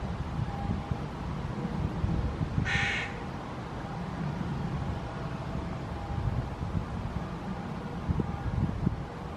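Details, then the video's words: Fledgling hooded crow (Corvus corone cornix) on the ground, Helsinki, Finland, in June 2018, gives a single brief, hoarse, grating call over a constant low rumble of distant traffic. "Hooded Crow fledgling on the ground, vocalizing"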